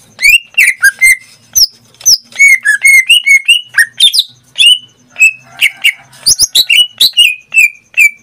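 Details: Greater green leafbird kept as a pet, singing almost daily, pours out a quick varied medley of whistled slurs and sharp chirps, nearly nonstop.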